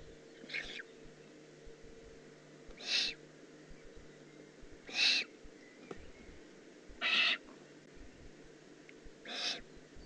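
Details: Juvenile Eurasian eagle-owl in the Eifel, recorded 18 June 2016: harsh, hissing rasps, each about half a second long, repeated roughly every two seconds, five in all, over a steady low background hum.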